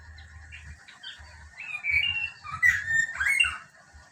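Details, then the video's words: Female lesser racket-tailed drongo in a cage singing wild ngalas song, a quick run of clear, varied whistles and slurred notes with a few buzzy accents, while low thumping noise sounds in the background. "SUARA NGALAS CENGKLUNGAN SRIGUNTING BUKIT KICAU ASLI SAERAN KANTIL BUKIT"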